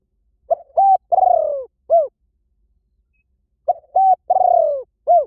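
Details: Spotted dove cooing meant to pull wild doves toward a decoy: two matching phrases about three seconds apart, each a brief coo, a level hoot, a drawn-out vibrating descent and a soft final coo.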